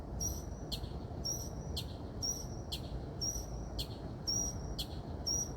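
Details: Unidentified bird singing at night, possibly seeking a mate: a short high whistled note repeated about once a second with brief buzzy bursts above, steady low background hum throughout.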